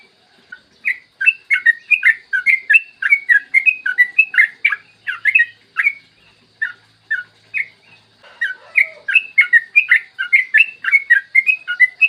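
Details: Yellow-vented bulbul in long clear morning song, meant to stimulate other bulbuls to sing: dense bursts of bubbly whistled notes, a brief quieter stretch around the middle, then fast chattering resumes.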